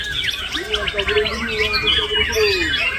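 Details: Mimicked parakeet phrases from a male white-rumped shama: rapid jumbled chirps and harsh rattling notes over a steady low whistled line, delivered in quick, irregular bursts.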